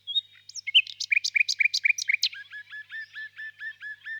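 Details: A common nightingale delivers a burst of sharp staccato notes, then switches to a steady series of softer paired notes repeated several times a second.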